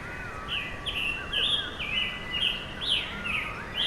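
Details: Burry, hoarse phrases from a scarlet tanager perched on a tree, repeated quickly and evenly, while a separate, softer whistled warble from another bird runs lower underneath.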